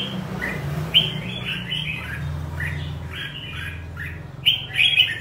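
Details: Red-whiskered bulbul, 'ché' type and in 'căng lửa' condition, giving a few short warbled whistles, then a louder burst of bright notes near the end, over a steady low rumble.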